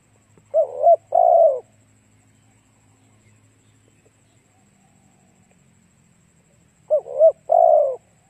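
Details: Decoy spotted dove cooing to lure wild doves: two low, hooting phrases at start and end, each a short note followed by a longer, drawn-out coo, with a long quiet gap and faint low hum between.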